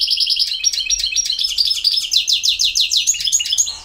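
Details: European goldfinch singing, a field-type bird from Bosnia and Herzegovina: a continuous fast stream of tinkling, liquid twitters with rhythmic down-slurred notes.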